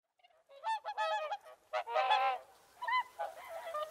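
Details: Whooper swans calling: a series of loud, nasal, bugling honks, some overlapping as several birds call together, in short bursts with brief pauses, ending with softer trumpeting notes.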